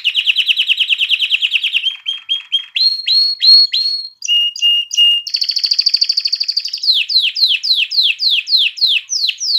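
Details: Canary singing to stimulate females to mate and get chicks singing: a long fast trill, spaced whistled notes, two flat tones, a steady high roll, then a series of falling swept notes repeated about every half second.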